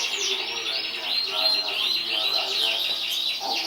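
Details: Competition-winning canary, 2014 champion, singing a rich unbroken stream of rapid warbles and arched whistled notes, mostly high and rolling, with a few lower chirps near the end.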